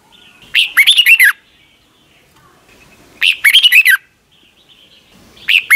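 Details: Red-whiskered bulbul, caged in Thailand, sings its doubled song for young birds to learn by ear: a sliding whistle leads into fast chopped warbles. Phrases come roughly every two and a half seconds, three in all, with quiet gaps between.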